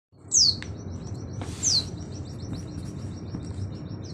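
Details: Oriental white-eye (pleci auri) in the nembak sejalur style, recorded as training material for other birds: two sharp descending whistles, then a faint, thin, rapid high trill over steady low background hiss.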